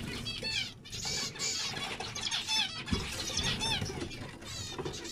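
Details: Zebra finch calls, nasal and buzzy with repeated downswept notes, several birds overlapping amid a low background rumble.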